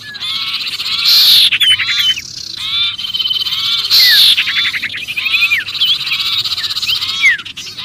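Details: Sirpu crying as though trapped, a lure for other birds: fast harsh rattles with piercing high squeals and scattered downslurred whistles, delivered in rapid repeated bursts.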